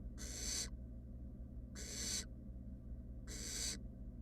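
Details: Three breathy, drawn-out hisses about 1.5 seconds apart come from three fluffy wild barn owl nestlings resting in a nest box, over a soft constant background hum.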